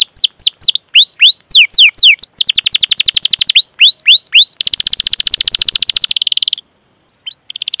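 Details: Training song of a canary for stimulating other canaries: hooked whistled notes in quick series, then a dense rapid trill, a short pause and a brief restart.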